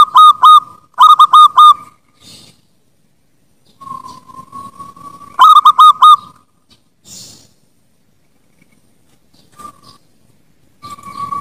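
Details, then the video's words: Zebra dove (perkutut) song as a master recording for training birds: bursts of quick, bright, rolling coo notes at a steady mid pitch, a longer held note between phrases, soft background hiss. "SUARA PERKUTUT"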